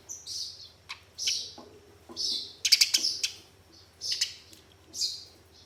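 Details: Fighting Eurasian tree sparrows chatter in short, shrill chirp bursts, with a quick run of clicking ticks midway; meant to stir caged sparrows into song; soft background hum.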